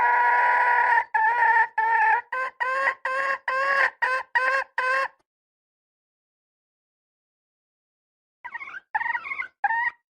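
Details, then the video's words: Red junglefowl hen calling: a run of loud, nasal, harmonic clucking notes that quicken over five seconds. A long silence follows, then three more similar notes. "Poj qaib seev zoo heev li _ສຽງໄກ່ປ່າ . ไก่ป่า"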